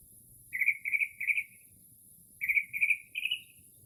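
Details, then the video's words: Northern mockingbird mimicking other birds near midnight in early spring: two bursts of three buzzy trilled notes each, separated by a short pause, in a still night. "Northern Mockingbird Mimics Different Bird Calls"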